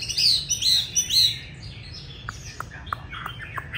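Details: Chinese hwamei (Garrulax canorus) sings three loud, high, slurred whistles in quick succession, followed by a scatter of softer short chirps.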